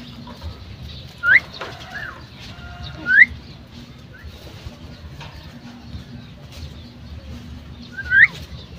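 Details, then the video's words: Female common myna calling: three short, clear rising whistles, each sweeping upward, spaced irregularly over several seconds above a low steady background hum. "The common myna (Female) | myna calling"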